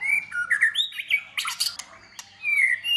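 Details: Short burst of white-rumped shama competition song: gliding whistles, a harsh buzzy chatter in the middle, then a clear descending whistle.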